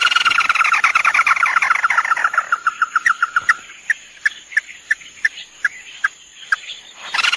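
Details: Male and female crake (locally "Tikusan mata merah") calling for bird-luring: a fast, even run of clipped, mid-pitched notes for about three seconds, then sharper, higher single notes spaced a third of a second apart and slowing.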